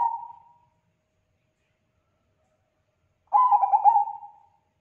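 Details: Zebra dove of the Bangkok perkutut type in strong song, claimed to prompt other doves to reply: the fading tail of one coo, a long pause, then a full phrase of rapid staccato coos ending in a held, trilling note.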